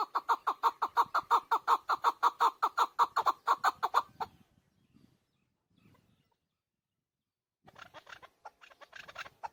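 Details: Chukar partridge, known as chakor, giving a fast, loud series of rhythmic chuk notes for about four seconds, then faint low rustles and a later burst of quieter, higher chattering.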